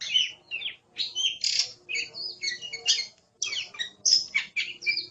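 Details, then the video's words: Oriental magpie-robin delivering loud, scratchy, squawking phrases mixed with whistled notes in quick bursts, with a short pause midway. "Suara Burung Kacer | Gacor"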